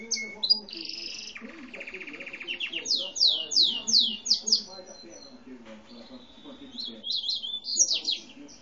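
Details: Home canary without a defined breed, grey and white (Lavanderia), recorded while a papa-capim seedeater was singing nearby; high whistled trills, a lower rattling tour, then sharp descending slurred notes repeated rapidly, with soft murmuring underneath.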